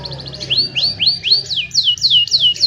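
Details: Young canaries singing to teach other canaries, cellphone recording: a string of loud, swooping, downslurred whistles, roughly three each second, over a faint low hum.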